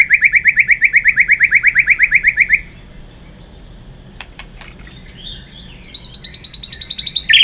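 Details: White-rumped shama fighting song used for training: a rapid, even trill of about seven notes a second for two and a half seconds, a pause with clicks, then a higher fast trill resuming.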